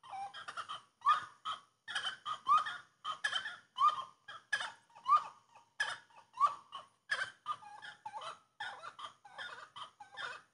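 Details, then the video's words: Grey-cowled wood rail singing a loud, harsh, cackling series of clipped notes, repeated in bursts of roughly one per second, with upward-sliding whistled elements between the rough calls. "Canto da saracura Três Potes"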